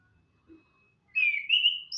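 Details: Morning song of an orange-headed thrush: after near silence and a faint low knock, one sustained, slightly wavering whistled phrase holds steady for most of a second, then jumps to a brief higher note.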